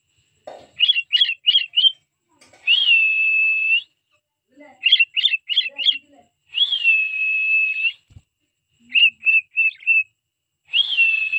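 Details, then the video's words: Pet cockatiel singing: quick bursts of four or five short rising whistled notes alternate with long, steady, level whistles lasting about a second, in a clear repeating pattern. "cocktail so cute birds singing songs"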